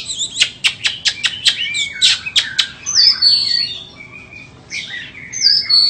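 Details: A white-rumped shama offered for sale sings: a rapid series of sharp clicking notes, then bright whistled phrases and high sweeping notes with short pauses.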